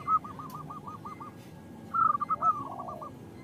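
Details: Female zebra dove calling to the male, used to lure males into singing: a soft run of short, evenly spaced arched coos at one steady pitch, then a brighter, faster burst of trilled notes over a background hiss.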